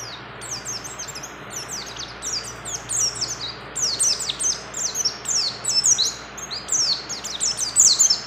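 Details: Loud, energetic chatter from a female mountain white-eye in breeding condition calling to a male, clustered high down-slurred notes repeated in bursts about every second.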